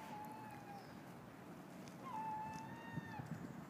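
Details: A free-roaming peacock at Beacon Hill Park gives two drawn-out, even-pitched wails, the second longer and slightly rising at its start, over a low background rumble.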